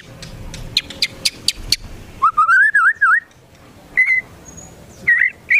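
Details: White-rumped shama song to stir other shamas to sing: a few sharp high clicks, then a wavering whistled phrase, followed by short rising whistles after pauses.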